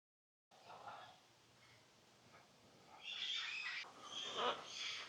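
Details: Scarlet macaws at a rescue sanctuary and bird park in Copán Ruinas, Honduras, give loud, harsh, raspy, grating squawks in the second half after a man's faint murmur at the start.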